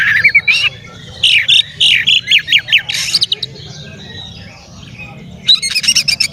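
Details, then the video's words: Male Oriental magpie-robin song used to provoke and excite other magpie-robins: loud high whistles and rapid chattering trills in bursts, pauses between phrases, then a fast stuttering sequence at the end over low background rumble. "SUARA BURUNG KACER GACOR ngeplay santai MANGGIL kacer auto KONSLET buka ekor TERAPI KACER agar EMOSI"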